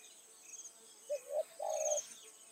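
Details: Decoy spotted dove used in the evening to draw in wild doves; a single soft phrase of short notes rising into a long buzzy coo, with high insect trilling above throughout.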